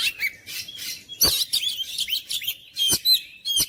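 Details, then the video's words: Oriental magpie-robin song aimed at provoking quiet kacer to sing hard: a fast sequence of high whistled slurs, crisp clicks and chattering notes in short loud bursts. "KICAUAN KACER MENGOYAK KACER BISU MALAS BUNYI JADI NGOTOT GACOR"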